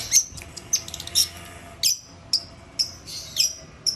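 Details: Long-tailed shrike singing: sharp, high, squeaky notes in short clusters, with quieter chirps between them and spaced bursts roughly every half second toward the end, against a faint low hum.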